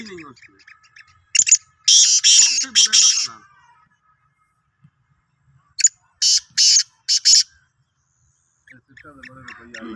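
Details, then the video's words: Sindhi black francolin calling, recorded 16 March 2023: two bouts of loud rasping, scratchy bursts, first a tight cluster of four, then a rapid set of five, with faint male voice before and after. "Kala Teetar ki Awaz"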